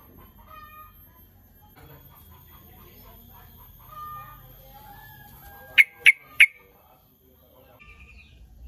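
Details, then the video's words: Sooty-headed bulbul calling to lure rival birds: faint distant twittering first, then three loud, clipped notes spaced about a third of a second apart, followed by a short trill. "Cruk..cuk..cuk TRUCUKAN lain pasti nyaut.."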